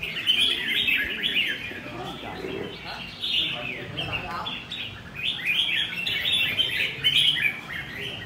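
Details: Red-whiskered bulbul singing in the "ché" style: long, energetic bouts of rapid, high, jumbled whistles and trills, pausing briefly before each new burst.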